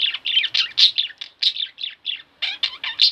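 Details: Pet budgerigars, a pair kept indoors, give loud, clear chirps in quick succession, each short note sliding and warbling, about four or five per second with small gaps between bursts.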